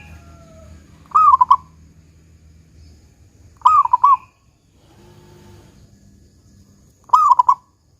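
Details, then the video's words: A local zebra dove gives three 'kung besar' phrases, used to coax other doves to sing. The rolling low coos have rapid stutters and are spaced about three seconds apart over a low background hum. "Perkutut Lokal GACOR Suara Kung Besar Pancingan Burung Perkutut Agar Bunyi"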